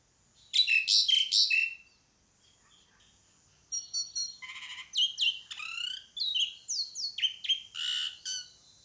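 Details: Pied myna calling: a burst of four loud, harsh, broadband rasping notes, a short pause, then a lively run of varied high whistles, sliding notes and scratchy chatters.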